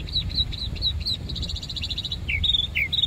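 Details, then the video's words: Bird singing in Savannah: a series of short, high chirped notes repeated about twice a second, then sharp descending whistled slurs near the end, over low rumbling background noise. "bird song in Savannah"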